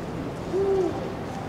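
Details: A single clear, deep, gently arched hoot from a Eurasian eagle-owl on 16 February 2023, lasting about a third of a second over soft background hum.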